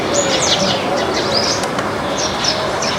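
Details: Backyard flock of Baya weavers eating grains: many short, high, sharp chirps overlap in quick, irregular succession, some sliding downward, over a steady hiss, with a faint low whistled note now and then.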